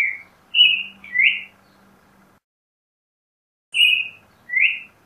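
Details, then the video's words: Pairs of slurred notes from a Creamy-bellied thrush, one level and one rising, come in two groups separated by a gap of over a second, over a faint low hum. "Zorzal Chalchalero Canto - Creamy-bellied Thrush Song"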